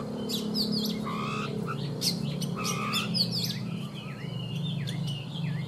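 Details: Morning song of a caged Oriental magpie-robin, wild-caught and three seasons in the cage: rich whistled phrases with long level notes, swoops and dipping slurs, a low steady drone underneath.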